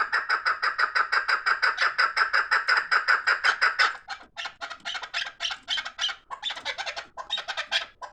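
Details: A fast, even volley of rasping chuk notes from fighting chukar partridges runs for four seconds, then gives way to irregular, scratchier squawking calls.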